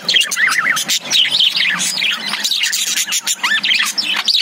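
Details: Lovebirds kept in a cage give loud, wavering chirps that swoop up and down, with quick zigzag warbles mixed among sharp clicks and squeaks.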